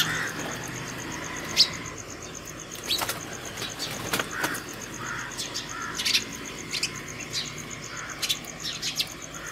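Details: House sparrow calling other sparrows to food at a hanging feeder early in the morning: short, sharp chirps at an irregular pace, several in quick bursts, over a steady high pulsing tone and faint low hum.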